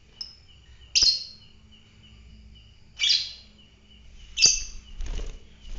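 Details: Fighter lovebird with three loud, shrill, screechy chirps roughly every one and a half seconds, then a brief rustling clatter near the end, over a thin constant high tone.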